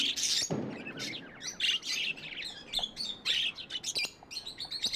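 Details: Tame pet budgies giving rapid, overlapping chirps and twittering warbles in short uneven bursts, with one low rustling thump near the start.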